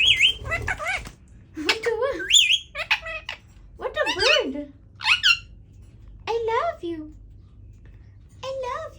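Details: Indian ringneck parakeet, a household pet, practising talking: a string of bright, wavering speech-like syllables and squeaks, some dipping low, others climbing high, in uneven clusters.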